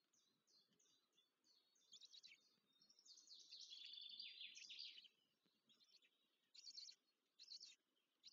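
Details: Black stork young at the nest in the Łódź region of Poland beg while being fed, May 2023. Scattered high chirps build into a loud, sustained wheezing chatter, followed by short separate squeaky bursts.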